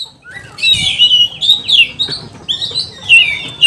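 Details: Oriental magpie-robin in a highly excited state, singing to stir up rival magpie-robins: a run of clear whistled phrases that bend and slide, broken by short scratchy notes and brief gaps.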